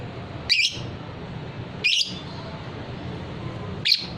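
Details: Fighter-type lovebird, a hobby bird prized for long ngekek trilling, gives three sharp, high chirps spaced over about four seconds against a steady low hum.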